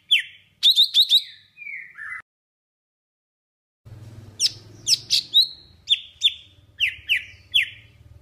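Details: A Golden-fronted leafbird from Vietnam sings bright, sharp whistled chirps and quick sweeping notes in lively bursts after a short pause. A low hum runs underneath.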